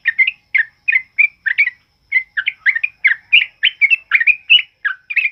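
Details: A sooty-headed bulbul delivers its strong, rapid ropel song, used to tutor other birds: chattering whistled phrases tumble out in quick succession, with one short pause before the stream resumes.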